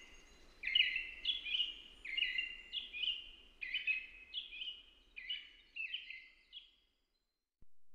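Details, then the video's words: American robin caroling, about a dozen short whistled phrases in a loose, even series, each with a slurred, wavering quality, fading out toward the end over low background noise. "American Robin sounds | American Robin singing"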